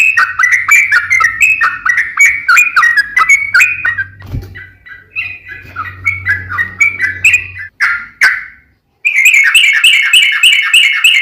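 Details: Long rapid ropel panjang song of a yellow-vented bulbul, used as a lure to spur other bulbuls to sing: tumbling gurgled whistles, a faint low hum beneath, a brief break, then a fast bright trill.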